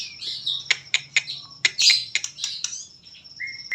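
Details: White-rumped shama singing in the trotol style: sharp clicking notes fired in rapid bursts over high chattering, ending in a short rising whistle.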